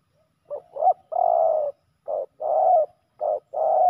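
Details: Spotted dove males fighting at a ground decoy. Loud, mellow coos alternate short and long notes, the long ones held nearly a second. About seven notes come in quick succession, and the last is cut off.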